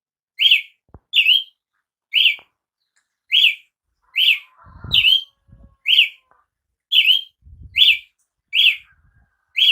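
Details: Repeated ringing slurred notes from a Brazilian tanager, roughly once per second, some notes doubled closely. Occasional low knocks and thumps sound in the background.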